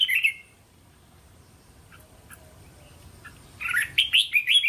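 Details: Red-whiskered bulbul teasing song meant to prompt young birds to sing back: a short warble at the start, a long quiet stretch, then a rapid run of loud, chirpy, up-and-down notes at the end.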